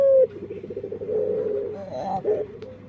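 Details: Male dove with a strange, distinctive voice: a short clear note, then a fast pulsing, burbling coo that wavers in pitch over about two seconds.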